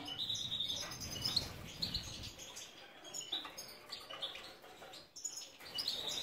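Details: Several captive Carduelis carduelis major goldfinches at a breeding site in Ioannina, Greece, twittering with high, slurred chirps and brief trills, broken by short pauses and light rustling.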